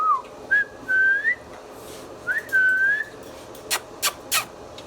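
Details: Pet Indian ringneck parrot indoors giving clear whistled notes, a rising slurred whistle then a long steady one, repeated after a pause, followed by several sharp clicks or taps near the end.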